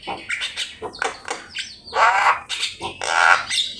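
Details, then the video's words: Javan myna training-master song: hoarse grating squawks and rasping phrases alternating with squeaky notes, loud and uneven. "Suara jalak kebo gacor , belajar bunyi pake masteran top ini"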